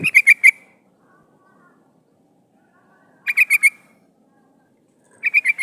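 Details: Sooty-headed bulbul female calling a male, used to lure wild birds: three short bursts of four quick, sharp notes, spaced by silences of about two seconds.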